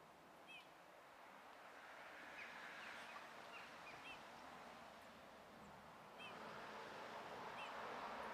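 Eurasian bullfinch giving soft, short piping notes every second or two, some doubled, faint against a steady rushing background hiss.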